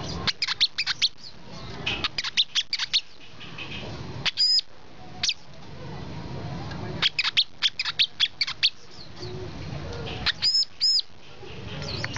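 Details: Brown-throated sunbird delivering irregular clusters of sharp, very high ticking notes, broken by pauses, with a few arched, ringing whistles standing out near the middle and the end over faint hiss.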